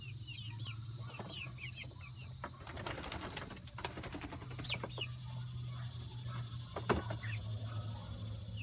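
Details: Month-old light Brahma chicks out in their coop-run for the first time. Short, high, downward-sliding peeps come in scattered bursts over a steady low hum, with rustling and a few wing-flutter noises.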